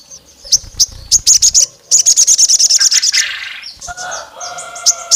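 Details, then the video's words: Olive-backed tailorbird, said to be a female calling the male and provoking rival males: sharp, very high chirps, then a fast run of about fourteen clipped notes, with fainter lower whistles from other birds behind. "SOGON GACOR MIRIP SUARA BETINA MEMANGGIL JANTAN LAWAN LANGSUNG EMOSI NGAMUK NEMBAK PANJANG"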